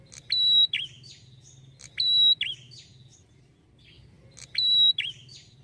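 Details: Lively red-headed prinia call meant to provoke other prinias to respond: three bouts, about every two seconds, each a sharp click, a steady shrill whistle, then a quick buzzy rattle with faint twitters between, over a low hum.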